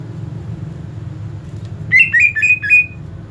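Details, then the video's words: Greater green leafbird in fighting mode, opening with quiet hum, then a brief rapid string of four or five harsh, rising-then-level chirps near the end. "Mental tarung cucak ijo anda akan terlatih dengan video cucak ijo fighter ini"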